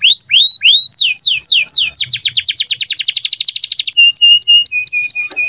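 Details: Indonesian gacor canary singing rising whistles, then a long accelerating trill of downslurred notes, ending in short flat whistled tones and chips.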